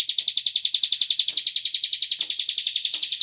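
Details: High, buzzy pulsed calling of a cigun bird, a lure to prompt other birds to sing, repeating close to three times a second without pause.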